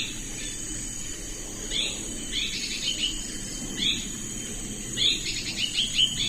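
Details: Hairy-backed Bulbul recorded in Thailand. Bright twittering note clusters repeat every second or so, with some quick trilled runs, against a constant high buzzing background and faint low noise.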